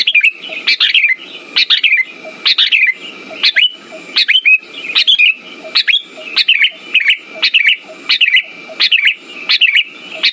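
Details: Sooty-headed bulbul lure song, played to stimulate birds that have stopped singing: short bright chirpy phrases with a falling slur, repeated roughly every 0.7 seconds over about ten seconds, with a steady high tone running underneath.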